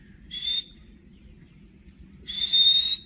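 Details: Green pet ringneck parrot that speaks "mian mithu": a short shrill screech, a quiet gap of about two seconds, then a longer, louder flat screech held for almost a second.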